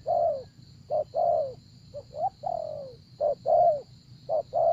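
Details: Spotted dove kept as a lure for wild doves, cooing in quick pairs of clipped and longer sliding-down notes, with a short rising coo midway and a continuous high whine throughout.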